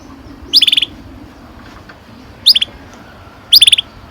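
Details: Canary, kenari, repeating brief clusters of rapid high chirps, three bursts over four seconds at uneven intervals, against a quiet low background.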